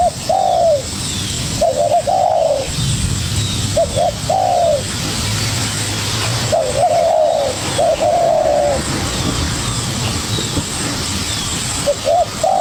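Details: ['Spotted dove, young wild bird, dueling with a decoy, repeats its cooing phrase several times: paired short coos followed by a longer descending coo, pauses between, steady background hiss and low hum.']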